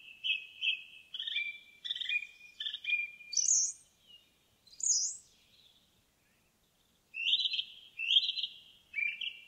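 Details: Indigo bunting singing in a forest, clean and close: paired high sweet notes, some sliding upward, delivered in phrases separated by a short silence, with no other sounds.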